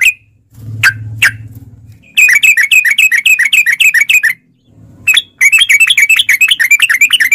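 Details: Gacor yellow-vented bulbul (trucukan) lure with long ropel chatter: two isolated sharp notes over a low hum, then two extended bursts of fast, bright, repeated chirps separated by a brief pause.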